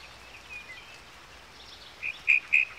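A yellowhammer gives a quick run of four short, high, dry notes about a quarter-second apart after faint thin twittering. A soft outdoor hiss lies underneath.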